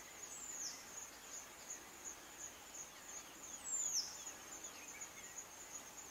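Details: Scarlet-chested sunbird (Chalcomitra senegalensis) in Kibuye, Rwanda, in March 2013, giving two thin, very high notes that slide downward, about three seconds apart, over a steady high insect drone.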